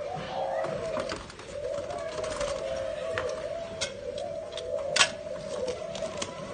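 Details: Spotted doves, a pair in Nam Định, Vietnam, April 2022, giving a low continuous wavering coo that dips and swells in slow waves, overlaid by scattered clicks, taps and faint voices.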